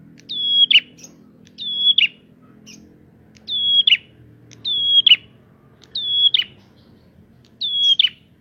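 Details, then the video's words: Prinia song used as a lure to provoke other prinias: loud, clear phrases, each a sharp high note sliding into a level whistle that ends in a buzzy drop, repeated about every 1.3 seconds, seven phrases, faint low hum beneath. "Prenjak gacor!!! Pancingan untuk burung prenjak bahan"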